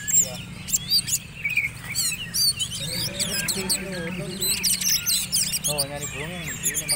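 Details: Oriental magpie-robin prepared for a black-and-white class singing contest pours out dense, varied high chattering phrases with quick trills and slurred notes; men's voices in the background.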